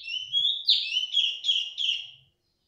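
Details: Clear-voiced female cungkok that keeps calling: a rising whistle jumps into a sharp downward sweep, followed by four quick descending whistled notes tapering off, with faint low rustling beneath.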